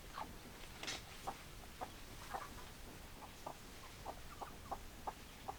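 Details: Hens cluck in short, evenly spaced notes, roughly two each second, with a brief higher squawk near the start, all fairly soft against a faint hiss.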